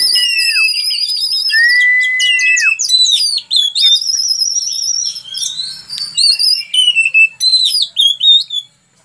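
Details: Oriental magpie-robin singing for use as a tutor recording: opens with long, pure, level whistles, then breaks into quick, jerky, varied notes and chips repeated several times per second.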